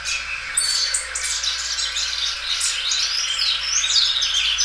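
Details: Belgian canary in song, a loud caged bird that repeatedly extends its song, giving a dense, fast mix of high chirps, buzzy trills and whistles, with a constant low hum.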